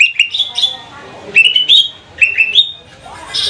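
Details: Greater green leafbird, cucak ijo trotol from Banyuwangi, caged, its song meant to lure other birds into singing. Clear whistled phrases of two or three rising notes repeat with brief pauses, ending in a buzzy burst.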